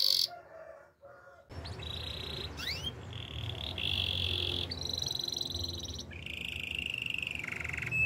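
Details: Canary training song with a sequence of steady rolled trills at changing pitches and a single rising slide, over a noticeable low rumble and hiss.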